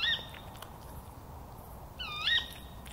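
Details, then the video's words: A female Tawny owl screeching from a nearby tree at night in a Somerset, England yard, 17 September 2017: two sharp, high 'ke-wick' calls about two seconds apart, the second longer and bending upward, over soft rustling. "a female Tawny owl calling"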